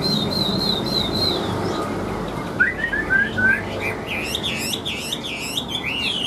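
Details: Singing caged Chinese hwamei with yellow bill and legs: a thin, level high trill, then short rising whistles that build into loud, looping, wavering phrases repeated rapidly.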